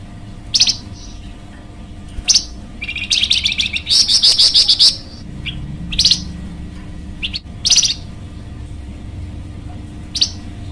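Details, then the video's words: Flamboyan bird, a luring and training recording, mixing single sharp high chips with one long fast buzzy chattering burst, the chips repeated every second or two over a quiet constant hum. "masteran burung flamboyan"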